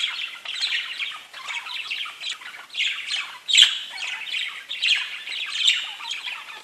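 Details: Pet budgies give a dense, continuous scratchy chatter of overlapping chirps and squawky notes, swelling and fading every second or so.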